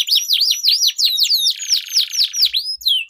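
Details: Canaries duelling in song, used as a lure to get silent birds singing and as a tutor for competition birds; long rolling song of rapid high sweeping notes repeated in quick series, then a sustained buzzy trill and a few thin whistles.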